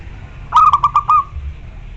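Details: Zebra dove, local type, with a big voice calling a rival: six low, rhythmic, purring coo notes in quick succession, ending on a slightly longer note, with a soft low hum underneath.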